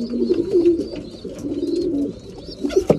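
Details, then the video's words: Breeding pigeons at feeding time: a close, rolling low coo drawn out over two seconds, then a sharp knock, with faint high squeaks behind. "Breeding pigeons / mealtime"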